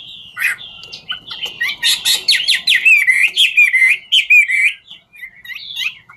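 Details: A 'ngũ trường' Chinese hwamei sings while dancing: one sharp opening note, then a dense, chattering flurry of quick buzzy and whistled syllables, easing into softer, sparser whistles at the end.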